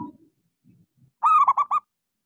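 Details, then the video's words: Single song phrase from a local zebra dove, used to stimulate silent doves: a drawn-out coo breaking into three quick, clipped notes after a little faint low background sound. "Suara pancingan Perkutut lokal gacor suara kecil sangat cocok buat terapi kutut macet."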